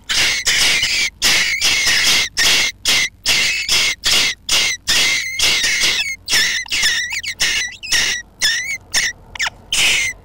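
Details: Jackdaws nesting under a roof: a rapid series of harsh, rasping, hissy bursts, about two per second, some with a bent whistled edge, running almost continuously with short gaps between them.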